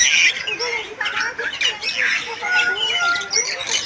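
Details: Bali myna of western Bali, Indonesia, pouring out nonstop chattering song: raspy squawks layered with bright whistled notes and a few long level tones, dense and unbroken.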